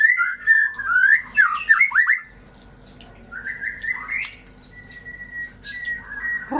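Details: White-rumped shama song played to stimulate birds that stopped singing: a rich burst of warbled whistles for two seconds, then a quieter stretch with a few rising whistled notes and a thin drawn-out tone.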